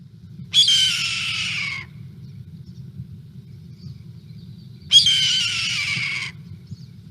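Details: Two long, hoarse, descending screams of a Red-tailed Hawk, the most common Buteo hawk in the valley and a very common call, about four seconds apart, each slurring downward for over a second over a low steady hum.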